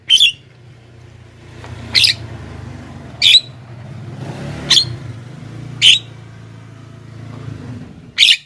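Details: Javan myna sounds meant to draw wild mynas closer: short, harsh, grating squawks repeated every one to one and a half seconds over a steady low rumble, like passing traffic.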